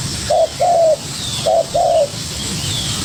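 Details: A young spotted dove calling energetically against a decoy bird. Two low cooing pairs, each a short hoot followed by a longer falling note, are separated by a short pause. Steady hiss and faint distant bird whistles fill the background.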